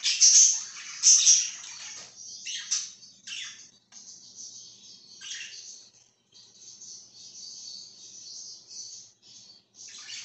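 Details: Budgerigar chirping, opening with two loud squawky chirps, then settling into softer, continuous high chatter with brief pauses.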